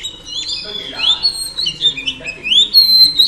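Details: Female oriental magpie-robin in song meant to excite males: clear rising whistles and gliding slurred notes, with a few high thin accents, in a continuous flowing phrase.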